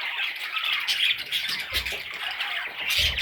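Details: Parrot chicks in a brief burst of continuous hoarse, high chatter, with a pair of soft low thuds in the background.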